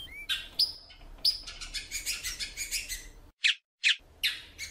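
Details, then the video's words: Calling heavily, a female great-billed seed-finch gives a brief rising whistle, then a run of quick chirps and clicking notes, followed by a few sharp isolated chirps after a short pause. "FÊMEA DE BICUDO PIANDO MUITO"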